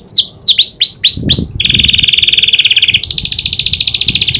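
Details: Canary trained to imitate the prinia's clicking call: a run of sharp downslurred chirps, then a long even buzzy trill that jumps higher partway through.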